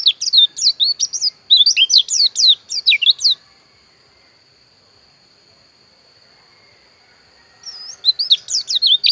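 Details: Pleci dakun, a Javan white-eye from Pupuan in Bali, delivers fast bursts of high, twisting whistled notes, pauses for about four seconds, then resumes the quick chattering phrase, against a constant thin high tone.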